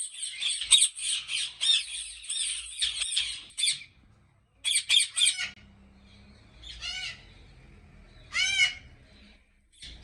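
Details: Ringneck parrots at a large Pakistan breeding farm squawk in rapid harsh bursts, then pause. Two separate drawn-out, wavering screeches follow over a low hum, and a short squawk closes.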